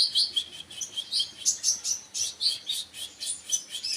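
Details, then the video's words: Kolibri wakul sunbird delivering quick, pulsing high chirps, roughly four per second, thin and sibilant with brief whistled accents mixed in. "burung konin mu denger ini langsung yaut"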